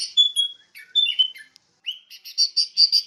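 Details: Sooty-headed bulbul singing: clear whistled notes sliding around mid-high pitch in the first second and a half, a short pause, then a rising slurred note followed by a quick run of repeated bright chirps toward the end.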